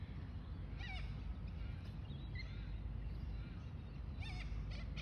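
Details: Little corella on 25 December giving two harsh, wavering screeches about three seconds apart, with a few fainter calls between, over a steady low rumble of wind or traffic.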